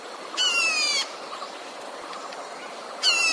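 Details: Red-whiskered bulbul kept to lure wild bulbuls into traps. One full harsh buzzy burst of about two-thirds of a second with stacked overtones, then quiet hiss, and a second burst beginning at the end.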